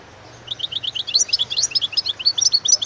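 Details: European goldfinch singing a rapid, tinkling twitter of high, bouncy chirps strung closely together, growing louder after a quiet start, over a low steady hum.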